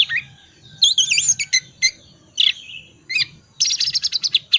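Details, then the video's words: Oriental magpie-robin twittering in ngriwik wiksar style, meant to stir quiet birds into song: scattered sharp chirps and short whistles, ending in a fast run of rapid repeated notes over a low background hum. "pancingan kacer tipe dingin ngriwik wiksar sangat cocok buat terapi kacer agar cepat bunyi dan gacor"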